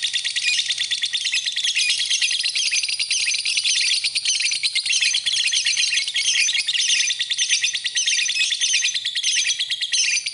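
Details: Lovebird singing in a masteran recording, a steady, unbroken torrent of shrill, fast twittering and squeaky chips for the whole stretch, with no pauses and no other sounds.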